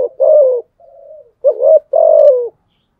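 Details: Spotted dove cooing to challenge rivals: a hoarse falling coo, a softer drawn-out note, then a rising coo and a longer steady descending one, all low and throaty with no other sounds.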